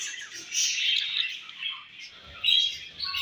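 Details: Baby budgerigars bred at home give a brief run of high, raspy chirps and twittering squeaks, fading mid-clip before a sharp burst of chatter returns.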